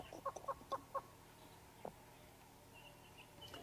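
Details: On a sunrise safari drive, near a dead leadwood tree, a hornbill gives a quick run of five hollow clucking notes, about four a second, then one fainter downslurred note over a quiet background.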